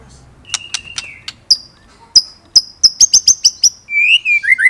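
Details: White-rumped shama singing nembak and ngerol phrases: sharp high clicks and piercing whistled notes, evenly spaced and then quickening into a rapid series. The passage closes with a gliding, descending warble.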